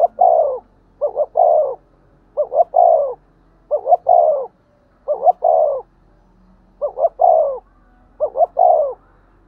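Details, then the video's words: 'Thúc gù' coo of a spotted dove, used for stimulating decoy doves. Six evenly spaced phrases, each a short double note followed by a sustained falling coo, in a clear steady rhythm. "cu gáy thúc gù// tiếng cu thúc gù hay dùng kích bổi hiệu quả"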